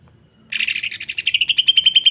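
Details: Loud, fast Greater green leafbird song in the rough 'mesin jahit' sewing-machine style, used for tutoring and provoking other leafbirds. A harsh chatter settles into a steady rattling series of sharp pulses, several per second.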